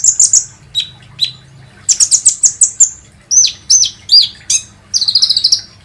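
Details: Kolibri ninja song used as a lure call to make birds sing: loud, high chirps, trills and rapid buzzy notes in short bursts, with clear sharp downslurred whistles and a fast stuttering trill near the end.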